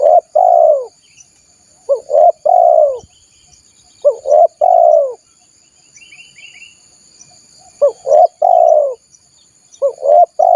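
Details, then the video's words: Spotted dove call used to lure wild doves: clear repeated cooing phrases, each a quick pair of short coos followed by a longer fuller coo, given in bursts about every two seconds with brief pauses and a faint high hum. "SUARA PIKAT BURUNG TEKUKUR PALING AMPUH || PANCINGAN TEKUKUR LIAR"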